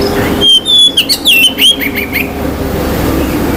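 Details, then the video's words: A short phrase from an Oriental magpie-robin, a song said to excite other males' aggression and breeding urge: bright whistled slurs and quick chattering notes for about two seconds, then fading into steady background hum. "KICAUAN KACER || CEPAT MERANGSANG KACER LAIN TERDONGKRAK EMOSI DAN BIRAHINYA."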